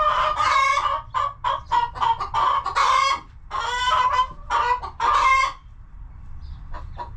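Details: Chickens clucking in a coop: bursts of loud, nasal, harmonic clucks in quick clusters, then a quieter stretch near the end with faint scattered notes.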